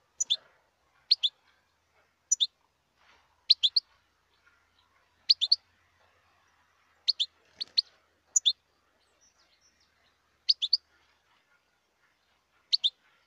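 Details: Wild European goldfinch giving bright, high, clipped two- and three-note twittering phrases, repeated roughly once a second in a quiet setting with no other clear sounds.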